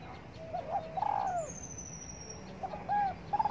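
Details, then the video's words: Morning cooing from a spotted dove basking in the sun, a low hollow phrase: soft lead-in notes, a wavering coo falling at its end, then the phrase starting again after a pause, with a faint high whine overhead. "Cu Đất Gáy Gù Phơi Nắng Sáng"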